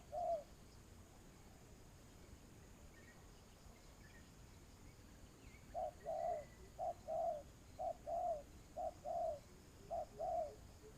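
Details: Spotted dove used as a lure for trapping doves: after a single early coo, a series of short low cooing notes from about six seconds, several in quick pairs, over a steady background hiss.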